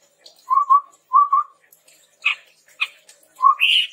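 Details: Lively chestnut-rumped babbler, recorded as a training lure for captive birds, gives paired low mellow whistles about half a second apart, then sharp clicks and a low note sliding up into a high whistled phrase.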